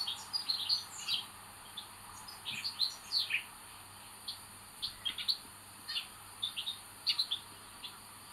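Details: Begging in a Common buzzard nest on 25 May 2022, where the eldest chick is aggressive: short high piping calls in irregular clusters and pairs through the whole stretch, with constant faint hiss behind.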